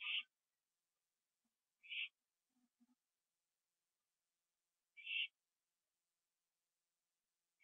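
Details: An owl on a porch near midnight, 21 September 2011, finishing its gopher meal, repeats brief harsh hissing screeches every few seconds amid otherwise quiet darkness.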